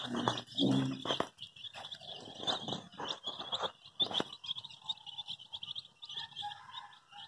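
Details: Several baby chicks, dyed in bright colours, chirp as they look for their mother: high, short peeps repeat rapidly and overlap throughout, with a lower, rough sound during the first second.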